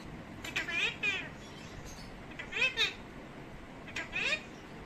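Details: Hand-tame pet parrot speaking Urdu and Arabic words: three short, drawn-out, nasal utterances with bending pitch, spaced about 1.5 seconds apart, over a faint background hiss.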